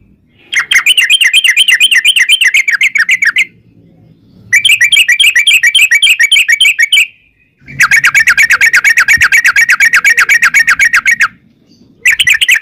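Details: Yellow-vented bulbul performing long 'ropel' phrases: extended rattling runs of fast, evenly repeated warbled notes, three long bursts separated by short silences.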